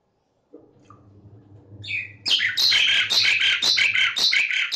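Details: Vigorous song of Gracupica contra, meant for training or luring starlings: a low hum and a faint note lead into a rapid, continuous burst of harsh chattering and squeaky whistles, close to three elements a second.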